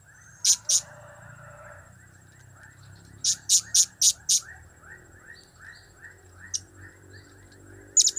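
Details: Blue-crowned hanging parrot giving its cap-cap, kiak-kiak and crap-crap calls: two very high, shrill clicks, then a quick run of four more later on. A dense chorus of lower chirps, repeated fast, runs underneath throughout.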